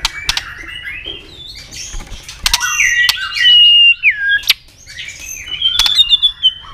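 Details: White-rumped shama in double-note fighting song to provoke a rival: warbled phrases and a long, smooth, down-slurring whistle, separated by sharp, isolated snapping clicks.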